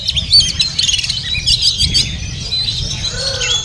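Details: Oriental magpie-robin (Copsychus saularis) singing a rich, varied run of sweet whistles and quick chattering notes, with other birds calling and a low background rumble.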